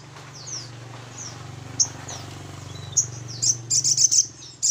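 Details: Little Spiderhunter lure call: scattered high chips and a quick burst of rapid notes over a steady low humming background noise.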